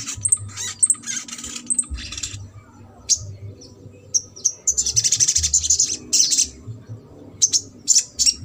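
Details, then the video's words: Ruby-cheeked sunbird singing in the trotol style, used to stimulate a sunbird that has stopped singing: very high, thin chirps and rapid buzzy trill bursts, scattered at first, then dense rattling runs in the second half, with low background hum. "SOGON TROTOL INI MERANGSANG UNTUK SOGON MACET"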